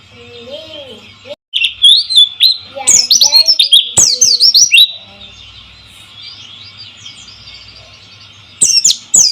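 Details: Lure song of a white-eye meant to prompt silent birds to sing: lively high chirps and descending squeaky sweeps in a dense run, easing to a faint lull before a fresh burst, with trickling water behind.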